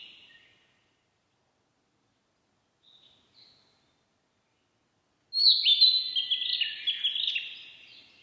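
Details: Narcissus flycatcher giving a faint short note, then a few seconds of near silence broken by two soft chips, then a loud, fast, warbled whistling phrase with jerky rising and falling notes.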